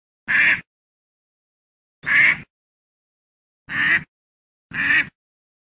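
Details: Duck giving four short nasal quacks at uneven gaps of one to two seconds, with nothing else heard.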